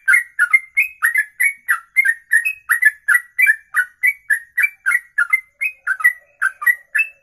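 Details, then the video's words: Bird singing a ropelan, a long song delivered in one breath lasting over two minutes: rapid, steady series of short whistled, slurred notes, about three or four per second, each with a sharp high click, alternating slightly rising and falling pitches, no other sounds. "Inilah Ropelan Sekali Nafas 2 menit lebih"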